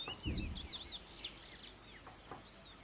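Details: Chestnut-bellied seed finch singing free in the Kaw marsh: rapid high swooping and looping whistled notes, fading out after the first second, with a low thump near the start and constant insect hiss behind.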